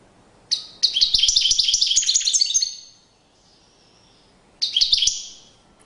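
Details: Courtship song of a European goldfinch, delivered as two bursts of rapid, liquid twittering and jingling high notes. A long trilled phrase is followed by a pause, then a shorter restart.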